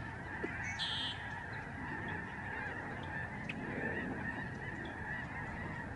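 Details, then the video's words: Lesser Snow Geese in a very large flock overhead at the George C. Reifel Migratory Bird Sanctuary in Canada, November 2011. Many voices merge into a continuous honking chorus, and one brief higher squeal stands out early on. "Spectacular flock of Snow geese in the sky"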